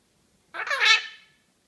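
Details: A talking pet blue-crowned conure gives one harsh, voice-like utterance of under a second, rising then falling, with a rough, scratchy tone like a mimicked word, in a quiet room.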